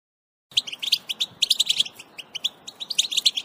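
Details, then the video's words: European goldfinch twittering and mating calls, used to stimulate males to sing: after half a second of silence, rapid liquid tinkling notes and buzzy trills pour out in dense bursts, high-pitched and continuous, with brief pauses between phrases. "بتبتة حسون سحرية في تحفيز الطيور على الغناء و الهيجان🔥بتبتات ونداءات الحسون الأكتر تحفيزا للذكور"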